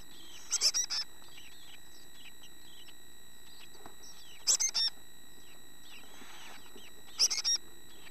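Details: Young chickadees nearly grown, looking like adults now, calling in three brief bright bursts of high chirps spaced a few seconds apart, with soft faint twitters between and quiet outdoor background.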